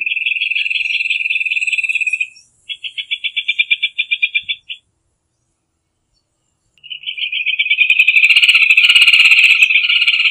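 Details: Rufous hornero trills: a steady rapid rattle, a short burst of slower, separate pulses, a silent pause, then a long, loud trill with overlapping higher and lower notes.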